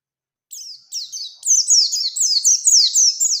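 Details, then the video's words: Oriental white-eye in rolling wild-style song used to provoke a rival into singing. Starts softly, then grows into a loud, continuous stream of high, sharply descending notes about twice a second. "Burung PLECI GACOR Ngalas Ngerol Nembak Mencari Lawan | Pancingan Pleci Cepat Nembak"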